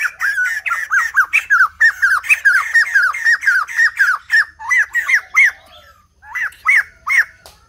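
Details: Top-form singing from a white-crested laughingthrush: a long, fast chatter of loud arched notes repeated about three to four per second, slowing into spaced pairs near the end, with little other sound.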